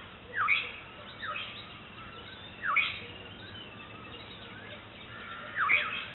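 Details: In April, a Black-headed Oriole calls to its chick with short falling nasal slurs, about five over six seconds at uneven intervals, some louder and some fainter, over a noisy outdoor background.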